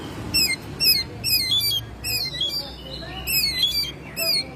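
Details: Home-kept Oriental magpie-robin in actively singing form in May: loud, clear whistled phrases that slide downward, repeated in bursts about every half second, over a steady low hum and background noise.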